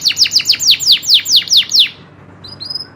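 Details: Local loper canary in natural voice: about ten loud descending slurred notes in quick succession, then fading to faint high tones.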